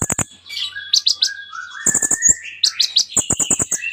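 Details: Busy song of a kolibri ninja sunbird with rich mimicry: quick chip series, high squeaky notes and smooth rising whistles, ending in a fast chattering run.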